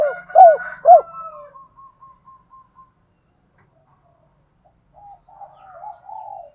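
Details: Spotted dove cooing as a decoy-stimulating call: a few loud, low, rounded coo notes in the first second, then a faint thin whistled line and soft, scattered cooing after a pause.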